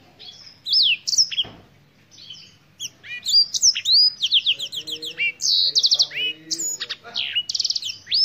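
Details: Black-throated canary from Africa in sustained, energetic song: many quick rising and falling whistles, stuttering pulsed trills and sharp chips in varied sequence, with some softer lower tones briefly beneath the middle section.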